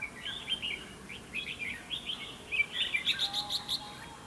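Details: Red-whiskered bulbul singing as a trap decoy to provoke fighting: a lively run of fast warbled, slurred notes, ending in a rapid series of sharp clipped chirps.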